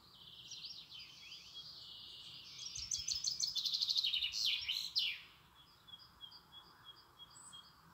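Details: European robin delivering a long phrase: soft wavering whistles, then a loud accelerating trill of rapid notes ending in a sharp sweep, followed by faint high piping notes.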